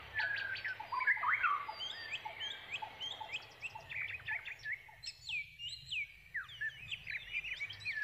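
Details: Young brown prinias begging for food from a foraging parent; excited chirps and quick upward-sweeping notes in a rapid irregular stream, loudest early, then thinner, scattered calls with brief quieter pauses.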